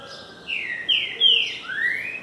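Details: Green-winged saltator (trinca-ferro) singing: a run of loud, clear, slurred whistles, each one sliding down or up, given one after another across about two seconds, over soft background hiss.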